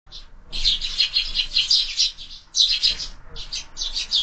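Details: Sparrows at a window-mounted feeder in the evening as supper begins, giving dense overlapping bright chirps in two long bursts separated by a short pause, with a few scattered single notes.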